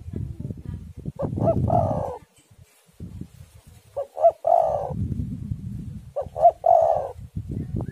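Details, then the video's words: Spotted dove song for luring doves into singing, amid stormy wind. Three repeated phrases, each short coos leading into a longer rolling coo, roughly every two and a half seconds, over a continuous low wind roar. "tekukur super gacor suara angin ribut"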